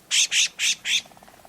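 Four harsh, nasal buzzy notes from a nighthawk in quick succession, about four per second, followed by faint soft ticking in the background.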